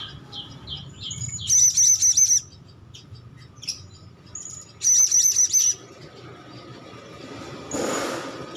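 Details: Hand-fed young Blue-crowned hanging parrot calling actively: two loud bursts of rapid, very high, thin chirps in quick series, each lasting under a second, separated by quieter single chirps, with music playing softly behind.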